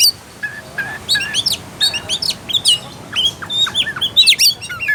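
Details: Oriental magpie-robin song used to provoke a lazy bird into singing: varied high whistles, upslurred and downslurred notes with short sharp chirps, phrases spaced irregularly, fairly quiet background.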